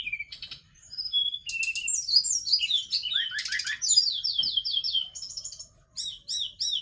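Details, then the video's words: Forktail, called tledekan gunung, singing a varied, rapid song: high thin whistles, buzzy trills, descending slurred notes and a run of repeated rising chirps, with short pauses between phrases. "Tarian indah Tledekan Gunung"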